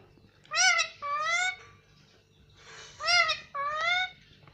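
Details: Pet Indian ringneck parakeet talking in Hindi: two pairs of loud, clear two-syllable word-like phrases, each a bright rising then level tone, the pairs about two and a half seconds apart, with a quiet room hum beneath.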